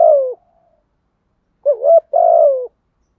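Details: Caged lure spotted dove cooing to provoke wild birds. A long falling coo trails off, then after a pause comes a quick wavering double note and another sustained, mellow, slightly falling coo.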